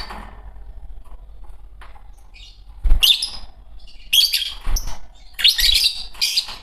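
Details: Quiet opening, then a green Fischer's lovebird pair breaks into rasping high chirp bursts from about three seconds on, clustered into several loud chattering groups, low thumps between.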